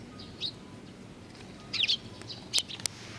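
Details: Eurasian tree sparrow chicks, recorded 19 June 2019, make short, high, slightly slurred chirps, a single note then busy clusters toward the end, mixed with a few clicking ticks.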